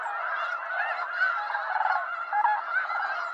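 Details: Snow geese, a wild North American flock, honking in a dense, continuous nasal chorus with some stronger yelps midway.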